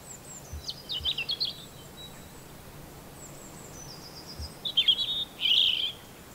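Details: Robin song: two brief bursts of thin, high, quickly varied twittering notes, the first near one second and a louder, denser phrase after four and a half seconds, separated by quiet with a faint background hiss.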